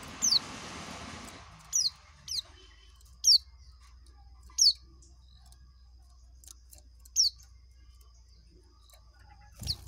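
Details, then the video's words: Oriental white-eye performing the ngekek style: single sharp, very high chirps that slide downward, spaced irregularly about every one to two seconds, after a brief rustling noise at the start, over a steady low hum. "Burung pleci ngekek"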